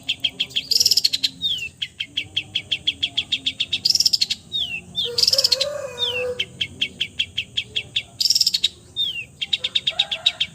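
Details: Long-tailed shrike singing a full repertoire that imitates all kinds of birds: rapid trains of high, dry ticking notes broken by bursts of buzzy, rasping phrases and downward-slurred whistles, a lower harsh churr in the middle.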